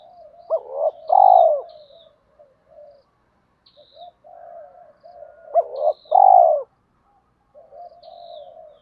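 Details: A spotted dove calls to lure wild doves in, giving two loud coo phrases about five seconds apart, each with a quick double lead-in and a long rich coo. Softer murmuring coos and faint high chirps fill the gaps.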